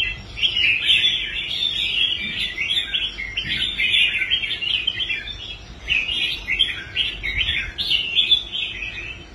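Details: Red-whiskered bulbul kept in a cage and brought back to form for competitions sings long chattering, whistled phrases almost without a break, pausing only briefly near the middle.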